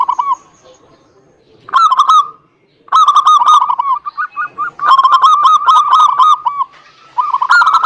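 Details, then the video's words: Zebra dove song used as a lure for quiet birds: a brief coo, a silence, then repeated loud bursts of quick, hooked, bell-like coos running four or five to the second. "PANCINGAN SUPER AMPUH UNTUK PERKUTUT MALAS BUNYI"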